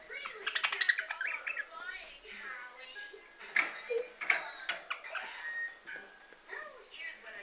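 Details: Rosie, a pet female budgerigar (Melopsittacus undulatus), chatters in fast, scratchy bursts of chirps, clicks and warbled notes.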